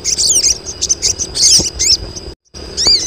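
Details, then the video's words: Crested jay females calling to lure males: crowded high chirps and arched whistles, then a brief total silence and a final swooping note, over a steady high tone. "KOLONI SOGON BETINA || SOGON JANTAN LANGSUNG BUNYI"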